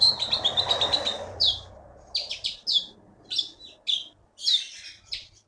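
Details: Champion Blue-winged Leafbird from the Bangka forest opening with a rapid high trilled phrase, then spaced sharp chirps and slurred whistles about every half second, over faint low background noise.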